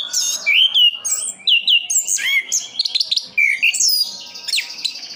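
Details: Caged orange-headed thrush (anis kembang) from Sidoarjo, East Java, singing a fast, varied run of high whistled slurs, rising and falling sweeps and sharp chips, phrases tumbling together with barely a pause.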